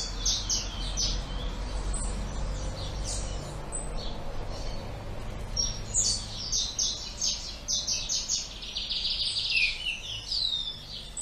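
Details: Double-collared seedeater singing the two-note "tui tui" song style: high, sharp whistled and buzzy notes in quick phrases, ending in a rapid trill, over a steady low hum.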